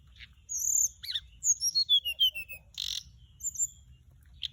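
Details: Decoy song of a Mugimaki Flycatcher: a high whistle, then a fast descending string of short sweet notes, a brief buzzy burst and a final sharp chip.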